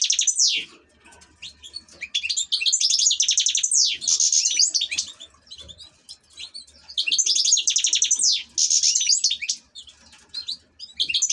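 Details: Caged European goldfinch kept as an ornamental bird, singing bright, high twittering phrases of rapid buzzy trills and sweeping notes, delivered in bursts of about two seconds separated by short quiet gaps.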